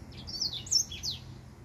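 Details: Short run of high, squeaky, slurred chirps from a singing male finch, about four notes in under a second and a half.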